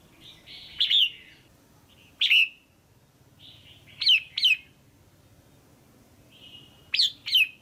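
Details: Female red-whiskered bulbul in a cage, calling to stimulate a male or find a mate: short emphatic slurred notes, often doubled, delivered four times, with softer buzzy warbles from nearby birds in between.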